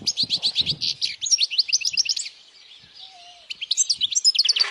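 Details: European goldfinch singing loudly, meant to help young goldfinches learn and to attract females; rapid high twittering notes repeated about four per second in bursts, a pause, then another fast liquid twittering phrase.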